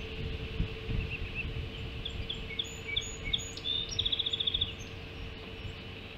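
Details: Hog Island ospreys at the nest during the first breakfast feeding, 05.20 on 7 July 2016: scattered thin chirps, then a quick rattling run of piping notes near the end, with low rumbling noise and a constant hum.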